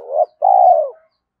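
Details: Brief spotted dove phrase meant to push decoy birds to coo: a rising swelling note, a short pause, then one long low coo that fades away.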